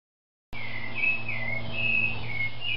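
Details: Captive green-winged saltator (trinca-ferro) singing a run of rich, sliding whistled phrases that rise and fall, over a steady low hum.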